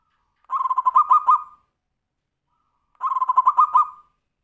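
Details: Tumpang Sari style song of a zebra dove (kutut), played to coax other birds into singing: two matching phrases of rapid, bubbling coos, each about a second long, separated by roughly two seconds of silence.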